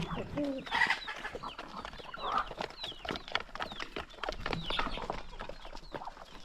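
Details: A chicken flock being fed in the early morning, as they peck and cluck in the countryside. Softer, scattered chirps and brief clucks are mixed with rustling and pecking noises.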